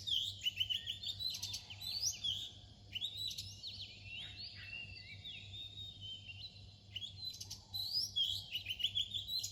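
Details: Oriental magpie-robin singing near dawn: bursts of clear, varied whistled phrases with sweeping up-and-down notes and short pauses, over a steady low hum.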